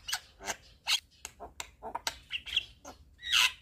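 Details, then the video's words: Short burst of Javan myna (jalak kebo) 'gacor' song with 'isian' fill phrases, sung while nodding: scratchy noisy notes and rough squawks, ending in a loud harsh blast with a whistled squeak. "Kicauan Jalak Kebo Gacor MAnggut - Manggut Full Isian"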